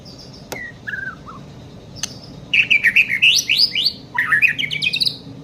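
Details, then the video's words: Young White-rumped shama song: a few soft slurred whistles and sharp clicks, then loud bursts of quick rising whistled notes in two rapid runs. "NGERII MASIH BOCIL MENTALNYA JOSS!!"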